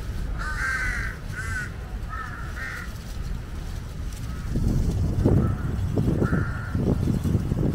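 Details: Jungle crows scavenging near a water monitor that is eating a giant snakehead utter a quick run of short, harsh caws. Later come fainter single caws among heavy low thumping and rustling noises.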